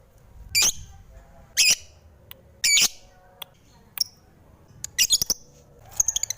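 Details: Harsh lovebird squawks, three loud ones about a second apart, then scattered clicks and short shrieks, ending in a quick burst of high chirps.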